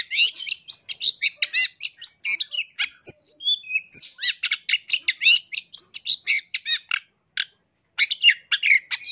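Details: Long-tailed shrike song used as a tutoring recording for cage birds, packed with rich rapid-fire phrases: a near-continuous burst of high, varied chirps, trills and harsh buzzy notes with a brief pause near the end.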